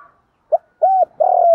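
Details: Spotted dove lure bird calling for wild doves, giving a quick clipped note, a rounded coo and the start of a long steady coo that is cut off abruptly.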